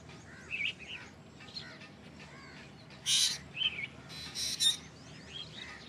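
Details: Black drongo giving a strange call: short harsh broadband bursts around three and four and a half seconds, mixed with faint rising and falling whistled notes, over steady low background noise.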